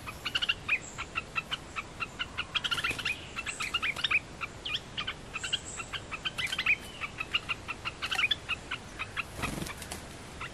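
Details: Red-whiskered bulbul singing: a dense run of short, bright chirps and whistled notes, repeated rapidly and steadily throughout, with a brief burst of broadband noise near the end.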